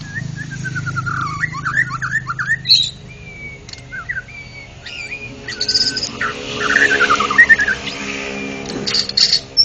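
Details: White-rumped shama, a national champion contest bird singing in the ngeplong style: varied loud whistled phrases, some rising and falling in quick series, with sharp high notes and buzzy bursts, over a steady low hum.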